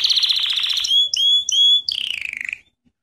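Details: Canary singing in a training lesson: a fast buzzy trill, then three long pure whistled notes, then a descending rattling trill fading out.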